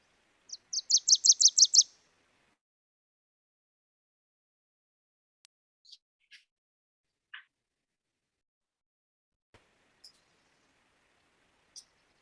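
Wilson's Warbler song: a quick series of sharp, chattering notes that grows louder at a steady pitch.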